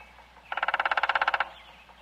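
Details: Woodpecker knocking at a quarry: one fast, even roll of about eighteen ringing taps lasting just under a second, with a tonal resonant quality, over a low steady hum.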